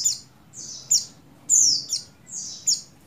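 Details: High, drawn-out descending whistles alternate with short sharp chirps from a female buxtoni Oriental white-eye in breeding condition calling the male, about two notes each second.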